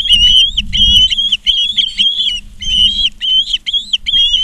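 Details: A continuous stream of intense, piping whistled chirps, slightly bending in pitch, comes from Ospreys on a nest cam at Charlo, Montana, recorded 19 August 2023 in the afternoon, with light low rumble.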